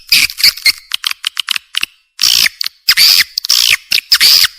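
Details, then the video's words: Swiftlet calls from a 2023 revised lure recording used to attract swiftlets: dense bursts of high, buzzy, chattering twitters, each under a second, in irregular clusters with short silent gaps. "suara panggil walet terbaru 2023/RIVISI 2 suara panggil walet"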